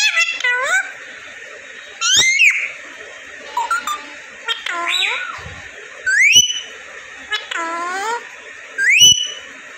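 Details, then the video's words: Pet parrot in Vehari, Punjab, Pakistan, talking: separate harsh, speech-like squawked phrases with rising and falling tones every second or two, against a steady background hiss. "Bolne wala tota"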